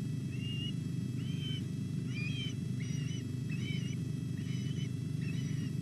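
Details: At the Llyn Clywedog osprey nest in Wales, 06:40 on 27 July, chicks call during a whole-fish feeding: short whistled notes, some doubled, about twice a second over loud, constant low-pitched noise.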